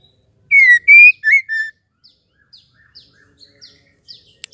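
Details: Call of a female white-rumped shama, used to trigger singing in males: four ringing whistled notes in quick succession, followed by a scatter of faint, thin, high chirps.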